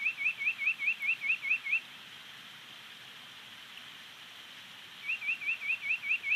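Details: Bald eagles at a Big Bear Lake nest on the morning of April 24, 2019, as the adult male finishes a long feeding of two chicks. Two bursts of about seven quick, high, upslurred chirps are separated by three quiet seconds over a steady hiss.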